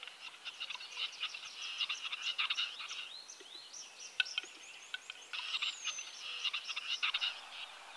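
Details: Male western capercaillie (Tetrao urogallus) lekking song in spring: dense runs of dry clicks and scratchy, grinding notes, with a few thin, higher calls from other birds.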